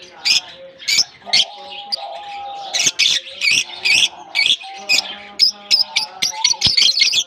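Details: Lovebirds released into a colony at the start of the summer season, exploring and interacting; harsh, sharp chirps in quick bursts from several birds, overlapping calls every half second or so, with a faint steady lower tone beneath.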